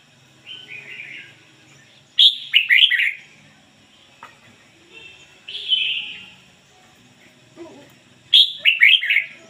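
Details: Decoy red-whiskered bulbul singing in the ngoi bổi style with a standard voice: two bright, fast, warbled bursts of chirpy notes, the second answered after a long pause by a quieter whistled phrase.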